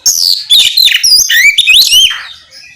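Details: Loud, continuous oriental magpie-robin song meant to draw other magpie-robins into singing back, packed with sweet whistled slides, chattering notes and scratchy buzzes that fade out at the end.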